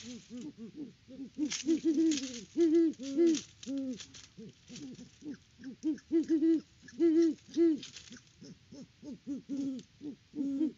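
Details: A pair of Great horned owls in a hooting bout at the nest in Peabody, Kansas, on October 17, 2023, recorded by a farm live cam. Low hoots overlap almost without pause, with louder, slightly higher hoots from a second owl. Scraping and rustling sounds accompany them.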